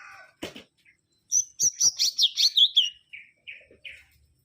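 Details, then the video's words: Mangrove whistler singing a rapid series of about eight bright whistled notes that slide downward, then three lower, softer notes spaced apart. A few sharp clicks come just before. "Kancilan Bakau Gacor"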